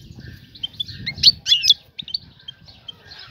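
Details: Brief rapid twittering of a female European goldfinch calling for a male, quick chirps about twice a second peaking in a loud burst midway, over a low rumbling background.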